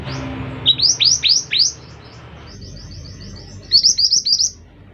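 Scarlet minivet giving thin, high, rising whistled notes in quick bursts of four or five, with a softer rapid twitter between the bursts.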